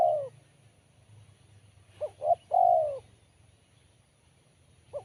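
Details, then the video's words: Spotted dove, sharp and crisp in tone. The tail of one long falling coo, then a complete phrase of two short coos leading into a sustained descending coo, then a short coo at the close. Soft low hum behind. "Poin BL Kuk 1 Suara Mersik Tajam"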